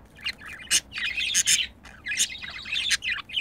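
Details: Budgerigars caught while mating produce busy, chattering warbles mixed with sharp clicks and high squeaky notes, nearly continuous with brief gaps.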